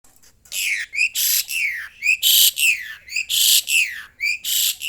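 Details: Hungry Asian pied starling screaming when its cricket feed comes late: loud, harsh rasping screeches alternate with short, sharp whistled notes that rise and then fall, in rapid bursts roughly twice a second.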